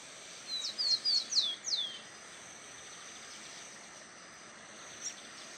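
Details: Female lined seedeater recorded at Itatiba, São Paulo, Brazil, on 9 December 2016 at 11:20 with a Panasonic HDC-HS80; five quick high descending chip notes in a short burst, then steady background hiss.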